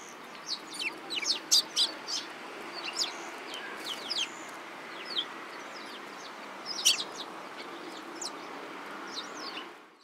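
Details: Several sparrows chattering, a rapid irregular series of short high chirps and cheeps, some bursts clustered together, with a low background hum.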